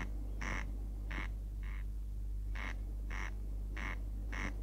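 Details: Corn crake, a bird of meadows and grain fields, sings its simple song of dry, rasping crex notes that sound like a comb's teeth being scraped, repeated about every half second over a steady low hum.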